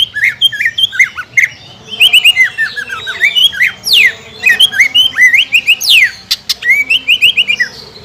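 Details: Greater green leafbird in lively 'gacor' song of the 'nekan dan nembak' style, played as a lure to provoke contest birds to sing: dense run of varied slurred whistles and quick upswept notes, interspersed with sharp rapid chips.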